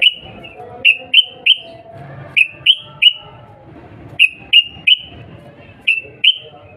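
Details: Calls of a sooty-headed bulbul meant to draw a fast reply, a female calling a male: crisp downslurred chirps in groups of three, spaced about a second apart, over quiet low background noise.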